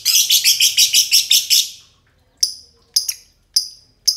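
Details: Two green lovebirds singing together in long ngekek style: a fast burst of high, sharp chattering notes for about a second and a half, then a pause and single clipped chirps spaced roughly half a second apart.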